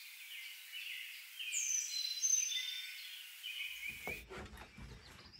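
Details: Carolina chickadee calling and singing at Seven Islands State Birding Park, Tennessee: high, thin whistled notes over soft background hiss, then a low rumble of handling noise closes the recording.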